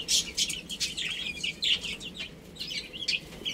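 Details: A group of baby chicks peeping as they play and feed; quick high descending chirps overlap continuously, with sharp tapping bursts throughout.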